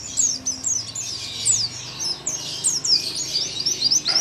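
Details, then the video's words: Oriental white-eye known locally as pleci paud, nembak song recorded at home for tutoring birds: continuous high-pitched twittering of quick slurred notes with no pause, over a faint low hum. "PLECI PAUD NEMBAK LUMAYAN BUAT MASTERAN DI RUMAH"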